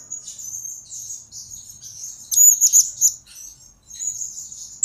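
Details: High, thin twittering from a blue-crowned hanging parrot, a recording meant for luring and tutoring birds; steady squeaky chatter swells into a louder, sharper burst midway, then fades and resumes.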